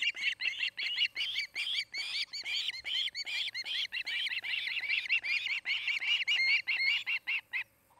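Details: Nesting osprey in Charlo, Montana, calling loudly and continuously: a long chain of rapid, shrill whistled chirps, about two or three per second, steady and piercing before ending suddenly.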